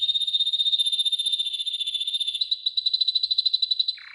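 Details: Yellow golden canary training song: a sustained high rapid trill that shifts into a slightly slower pulsed roll, ending in a short lower buzzy note.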